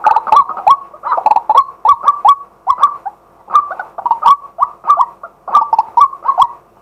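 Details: A male white-breasted waterhen calls in daylight as a decoy, captured live on a fixed camera. Rapid, throaty kru-ak-like notes are repeated steadily in groups, each note hoarse and slightly rising, with clicking sounds mixed in.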